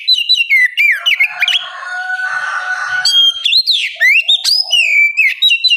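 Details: Loud, continuous oriental magpie-robin song used as bait to make a young bird sing back. Sweeping clear whistles frame a harsher, buzzy rasping passage in the middle, then quick rising and falling whistled notes resume.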